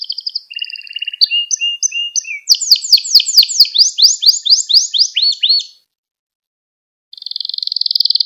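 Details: Canary training song to teach young canaries: short trills and level whistles, a long run of fast bright downward-slurred notes, a pause, then a new rapid buzzing trill.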